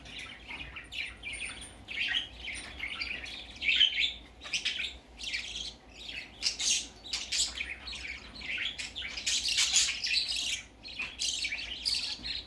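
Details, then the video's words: Baby budgerigar on its first outing, keeping up an almost continuous stream of scratchy chirps and squawky chatter with only brief pauses. "Baby parakeet first time go out"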